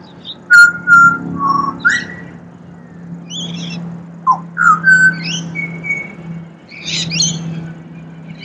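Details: Australian pied butcherbird song, rich whistled notes that slide down and then jump up, delivered in short phrases, with a few higher chirps from other birds and a constant low background hum.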